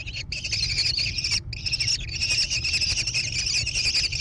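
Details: Nest-box kestrel chicks near Prairie du Chien, Wisconsin, USA, 14 June 2022; harsh, buzzy, high-pitched calls, a couple of quick breaks early, then an unbroken rasping stream over low hum.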